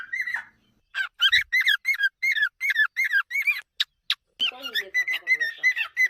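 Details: Pet cockatiel indoors whistling a run of bright, clear notes, each rising and falling, repeated quickly about three per second with short gaps, a brief pause near the end, then another rapid series of whistles.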